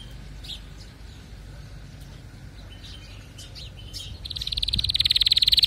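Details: Faint scattered chirps give way to a canary's loud, fast rolling trill that swells over the last seconds.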